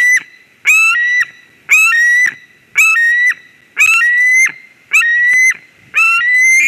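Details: White-tailed eagle calling at its nest in Durbe, Latvia, on 13 August 2023 after a ringed stranger lands: evenly spaced, two-part whistled yelps, a short high note then a longer level one, repeated roughly every second.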